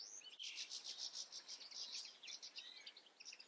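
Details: European goldfinch song: a fast, high, tinkling twitter of liquid chirps and trills, run together in a continuous stream of about three seconds, over faint background hiss.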